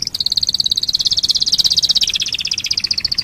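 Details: Canary song meant to lure other canaries into singing: one rapid rolling trill of evenly spaced high notes, about three per quarter second, slowly descending in pitch.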